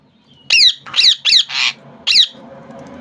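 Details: Harsh, high screeching calls from a pet rose-ringed parakeet in Bangladesh, four notes close together including one rasping squawk, then a final screech over low background hum.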